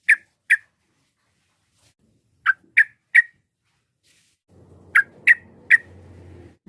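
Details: Sooty-headed bulbul, varied provoking song for rivals, delivering short bursts of two or three crisp notes separated by silences. Low hum enters toward the end.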